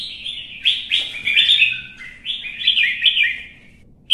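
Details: Competitive singing by a caged red-whiskered bulbul: two energetic phrases of bright, bubbling whistled notes with quick downward slurs, ending in a short sharp note.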